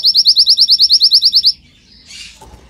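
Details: Training recording of a singing canary: a loud, evenly paced trill of about fifteen bright, high notes, then a short hiss and a soft low thump.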